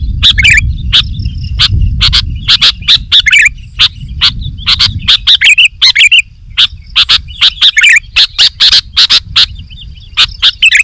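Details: Lively sooty-headed bulbul song, a long busy sequence of sharp notes and chattering bursts, with low rumbling in the background during the first half.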